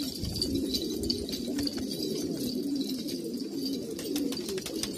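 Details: Old purebred pigeons from Kabul, Afghanistan, a dense wash of soft, low coos repeating throughout, with faint ticking sounds.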